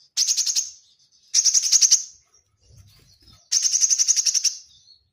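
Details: Murai batu, the white-rumped shama, singing 'tembakan rapat' rapid-fire phrases for a training recording: three quick volleys of bright, staccato repeated notes with brief gaps, plus a faint low rumble in one pause.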